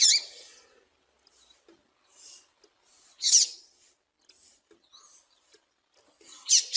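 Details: Female Double-collared seedeater calls used to excite and stimulate males for singing contests: short, bright, upward-curving chirps spaced irregularly, a few seconds apart, with faint softer notes between.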